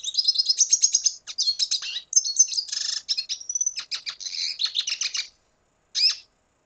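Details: A red siskin from Venezuela sings a lively phrase of rapid high twitters, buzzes and a short whistled slide for about five seconds, then falls quiet before one final short chirp.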